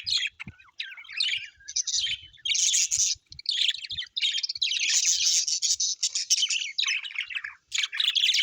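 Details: Happy pet budgies, an Australian parrot, chirp and warble in quick buzzy phrases that build into sustained chatter, with occasional sharp squeaks and light taps.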